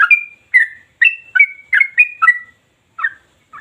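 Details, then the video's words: Sooty-headed bulbul (trucukan) singing in the nonstop 'ropel' style, described as sharp, deep and long. Eight short bubbly whistled phrases, each a quick rising-falling warble, given about every half second with brief pauses, no other sounds. "Trucukan Ini Gacor Tanpa Henti, Ropel Terus Kayak Mesin!"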